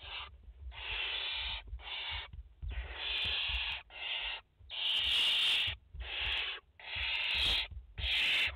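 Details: Nest of barn owls in France, mother and four chicks, filmed live 30 August 2021: long rasping hisses follow one another almost without a break, around ten bursts of uneven length, loud and noisy, with light knocks between them.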